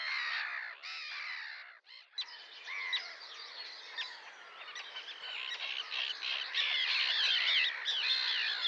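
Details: Sandwich tern calling: dense, overlapping, harsh grating calls, as if from many birds at once, form a continuous raucous chorus that breaks briefly near two seconds, then resumes and grows louder toward the end.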